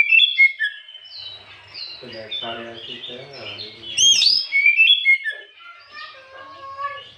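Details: Oriental magpie-robin singing in the afternoon as a lure to provoke other birds: loud whistled phrases, falling and sweeping, with rapid chattering notes and softer harmonic tones mid-clip.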